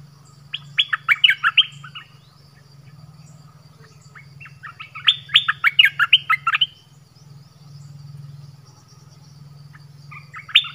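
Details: Orange-headed thrush decoy song meant to attract wild birds, repeated bursts of fast whistled and chipping notes every few seconds over a steady low hum in the background.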